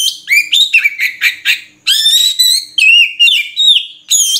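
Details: Loud, continuous song of an Oriental magpie-robin, locally called murai kampung: rapid mixed chirps and clear whistled notes, some rising and some level, repeated in quick varied phrases with only a short break midway.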